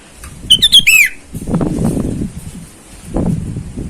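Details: A sooty-headed bulbul calls out to rivals in the wild, a lure call for wild birds: one bright burst of rapid whistled notes finishing with a falling slur, then low rustling and thumping.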